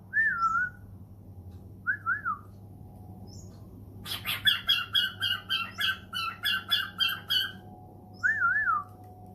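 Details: Cockatiel kept as a pet, answering a phone call: short wavering whistles repeated at intervals, broken by a fast burst of about a dozen harsh chirps, with a constant low indoor hum.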